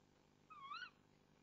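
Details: A tawny owl gives one short, nasal call that dips then rises, under half a second, against faint hiss, on a nest cam at 05:08 on 1 April 2014 as the male brings the female a mouse.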